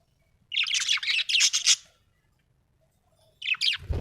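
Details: Budgerigar chirping happily: a dense, scratchy warbled chatter of quick high notes lasting over a second, a pause, then a shorter burst, ending with a low thump.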